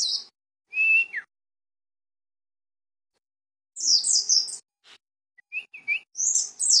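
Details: Mountain white-eye, known locally as pleci dakun, from Cisewu, Garut: a short high chattering trill, a thin level whistle with a falling slur, then after a pause more rapid high twittering bursts and small whistled notes.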